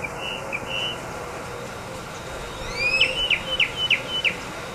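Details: Tropical mockingbird in Corozal, Belize, heard in the morning: a few thin whistled notes, then a rising sweep and a quick run of sharp, repeated chips near the end over a low background hum.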